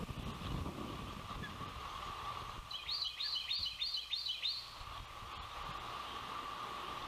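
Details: Osprey at a nest in Savannah on a windy day, 12 June 2021, as the oldest chick makes its first fledge; a short run of five sharp, high chirps rises above steady wind noise.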